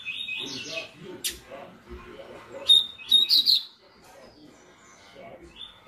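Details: Double-collared seedeater singing the tui tui song style, used as a warm-up song: short high chirped notes, then a bright burst of sharp whistled and buzzy notes near the middle, with low background murmur.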